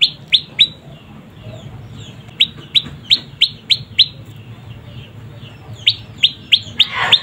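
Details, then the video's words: Juvenile prinia, locally prenjak lumut, calling vigorously in clustered series of sharp, downslurred high chirps. A pause falls between groups, and a low hum runs throughout. "Suara anakan burung prenjak lumut gacor mantab"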